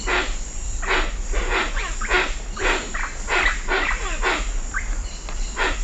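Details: Hoatzin calls and wingbeats recorded at medium close range at Cocha Cashu, Manu: harsh, wheezy, hissing calls about twice a second, with other birds calling and a steady high cicada drone.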